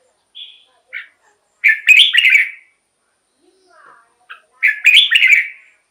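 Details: Red-whiskered bulbul, a decoy or excitement recording for caged birds: a couple of quiet introductory notes, then two loud liquid warbled phrases separated by a pause holding faint lower twitters.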